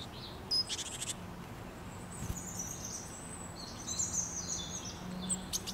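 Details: Wild birds singing outdoors: thin, high chirps and short twittering phrases scattered through the clip over a steady low hum, with a brief buzzy burst near the start.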